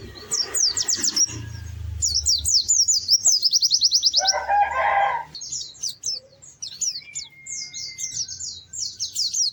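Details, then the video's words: White-eye singing lively and melodious, in fast bursts of high, thin, rapidly repeated chirping trills. A louder, lower chattering burst interrupts the middle, and a long steady whistle follows later. "Kicau Burung PLECI GACOR MERDU"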